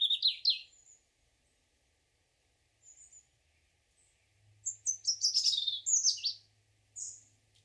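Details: European robin (Erithacus rubecula) morning song: thin, high, liquid phrases of sweet trills and tumbling notes broken by pauses, with a faint low hum beneath.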